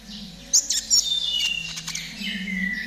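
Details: Konin trotol song played as therapy to get caged birds singing: loud sharp chirps, then warbling high notes and a smooth falling whistle, with a low background hum.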